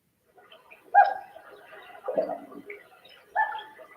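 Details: Common Loon giving soft hoots, three brief mellow notes spaced about a second or more apart, with a faint murmur between; a close-quarters communication call between loons, such as a male and female or parents and chicks.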